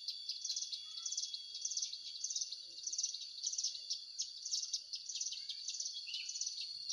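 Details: Hill prinia call used as a lure for bird trapping: high, bright chirping phrases repeated in an even rhythm about twice a second, each a quick cluster of sharp notes, over a steady faint hiss.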